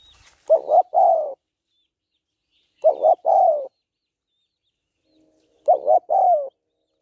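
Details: Female spotted dove cooing to stimulate a male: three phrases about two and a half seconds apart, each two quick throaty notes then a drawn-out falling coo. Quiet background.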